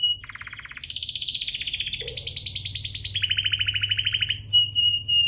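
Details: Canary song for getting other canaries to sing, built from several fast rattling trills stepping up and down in pitch, closing with short clipped whistled notes; faint low hum in the background.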